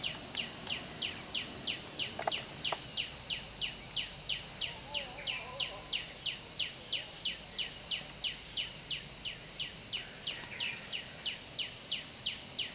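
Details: Around a nest of puff-throated babblers as adults feed their hungry baby, a long run of sharp downslurred whistles comes evenly about three per second, with a few faint lower sounds and a steady high insect drone behind.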